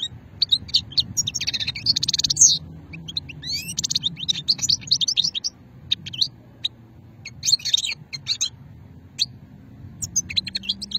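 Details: Goldfinch singing old-strain song, Hammam Guergour, Sétif, Algeria, 2020; long rambling stream of rapid high twitters, buzzy rattles and tinkling notes in dense bursts with brief gaps.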